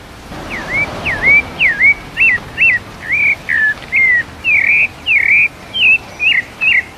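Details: Live recording of a sabiá parda thrush singing in the 'mateiro' style: a string of about a dozen separate whistled notes, slurred and looping, some rising and some falling, evenly spaced over seven seconds against faint background noise.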